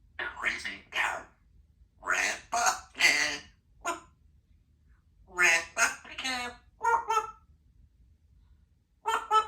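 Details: Female Congo African grey parrot, kept indoors in a country home, in a chatty mood, producing a series of speech-like word bursts with short pauses between phrases, voice-like and fairly clear in a quiet room.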